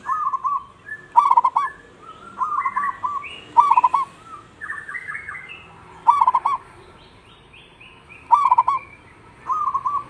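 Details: Local zebra dove kept in a cage, singing vigorously in the rainy season: short, staccato cooing phrases repeated every couple of seconds, with higher, thin chirps from other birds in between.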